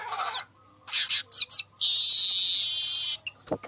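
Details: Golden-headed baya weaver in full song, used as a lure recording: short scratchy chirps lead into a long, even, sizzling buzz lasting over a second, then a few clicks, with a steady low hum underneath.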